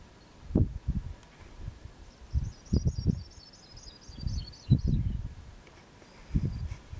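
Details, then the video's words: Sprague's Pipit calling in Saskatchewan, Canada, west of Pine Cree Regional Park and north of Eastend, on June 20, 2017. A thin, high series of about ten quick notes descends in pitch over two seconds, while heavy wind buffets the microphone. "Sprague's Pipit call"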